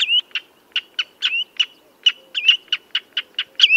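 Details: Redshank piping: sharp separate high notes alternating with smooth downslurred and upslurred whistles, loud and clear against a quiet backdrop.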